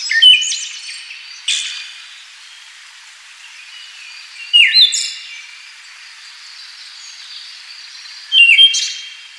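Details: Siberian thrush calling: three short bursts of thin, sharp, high notes with quick downward-sweeping whistles, spaced about four seconds apart over a quiet background.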